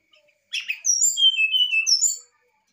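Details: Brown-chested jungle flycatcher in an excited state, its song meant to provoke a reply: a brief harsh buzzy burst followed by a clear, high whistled phrase that drops in stepwise slurred notes.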